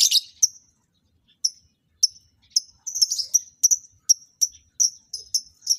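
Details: Lovebirds being paired to mate; a loud, grating opening squawk, then crisp, high chirps repeating roughly every third of a second, growing steadier toward the end.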